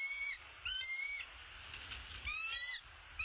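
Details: American bald eagles at the nest, possibly as the male brings an opossum to his mate: high, thin chattering calls in three quick bursts of squeaky, slightly rising notes, each under a second, over faint hiss.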